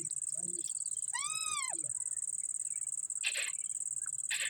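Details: A pet Indian rose-ringed (ringneck) parakeet, talking while eating lemon, gives one clear, tonal, speech-like call that rises and falls, then two short harsh bursts, over a steady high insect drone.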